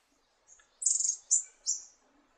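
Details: Red-eared firetail giving three thin, very high-pitched notes: a short faint lead-in, then a longer wavering note and two slurred descending whistles, each about a third of a second, in an otherwise quiet setting.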